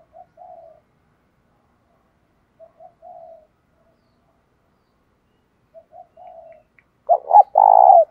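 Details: Spotted dove in the 'giọng đồng pha thúc bổi' voice: quiet low coos spaced by several seconds of silence, closing with a sudden loud pair of arched notes and a drawn-out vibrating coo.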